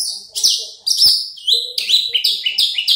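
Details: Caged Horsfield's bush lark, a large-bodied crested bird offered for sale, sings loud high buzzy phrases, each dropping in pitch, in quick bursts with brief gaps.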